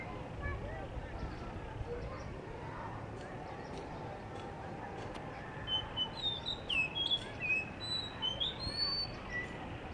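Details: Blue whistling thrush singing in Hunza in front of a guesthouse under construction near a cafe; thin high whistled phrases, sliding and fluttering, arrive in the second half over a steady low rumble of background noise.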